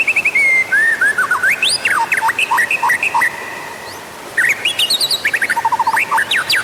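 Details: White-rumped shama song used as a lure to make other shamas sing: loud, varied whistled phrases mixing rising and falling notes, rapid trills and sharp repeated chips, with a short pause near the middle.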